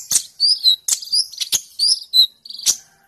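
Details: Sunbird in fierce, full-voiced song, offered as songbird tutor material: a quick run of high sweet slurred notes mixed with crisp clicks, fast and uneven.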